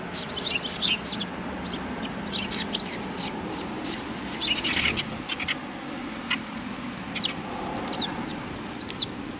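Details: Greeting sparrows outside a cultural hall, 7 February 2020, chatter in dense high chirps during the first half, thinning out later, with a low background hum and brief voices.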